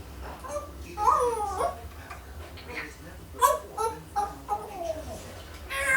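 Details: A one-year-old female pet African grey parrot babbles indoors, with short speech-like phrases of rising and falling tones, bursts about every second, and a low hum underneath throughout.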